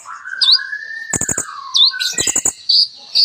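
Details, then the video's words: Sunbird (kolibri ninja) in full, lively song rich with imitated material: a long gliding whistle falling then rising, sharp upswept high notes, and two bursts of rapid dry clicking trills, with brief pauses between phrases. "KOLIBRI NINJA GACOR FULL ISIAN MEWAH"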